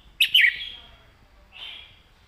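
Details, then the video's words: Caged red-whiskered bulbul giving a southern-style master song for training birds: a quick, loud warbled phrase, then a softer drawn-out whistle after a pause. "ครูเพลงแม่บท"ร้องชัด สำนวนใต้แม่บท นกเสียงทอง"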